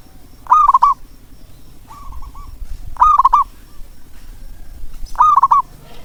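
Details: Zebra dove calling, used to prompt reluctant doves to sing: loud stuttering, rolling coos repeated roughly every two to three seconds, with one softer matching phrase between them over a low background rumble.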